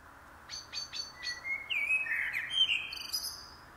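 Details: Common blackbird singing: several sharp high clicking notes lead into a rich, rising and falling fluted warble, ending in thin squeaky twitters.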